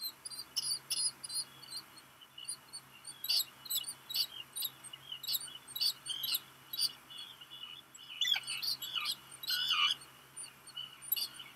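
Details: Nestling black guillemot, hatched late June 2021, begs when a parent arrives with rock gunnel, Seal Island National Wildlife Refuge, Maine, USA, July midday; steady thin high-pitched peeps, joined near the end by lower swooping calls.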